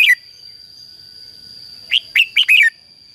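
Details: Red-whiskered bulbul, song used to call wild birds: a brief chirp, over a second of near silence with a steady hum, then four quick loud bubbling whistled notes.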